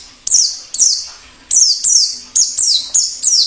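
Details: White-eye heard in the wild, used to prompt singing and lure birds: high notes sweeping steeply down, repeated in a regular series that speeds up in the second half.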